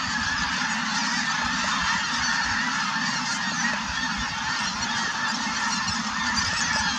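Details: Large active flock of Snow Geese, with cranes nearby, at Merced National Wildlife Refuge, 4 March 2018: continuous thick babble of honking voices blending into a steady roar, no pauses.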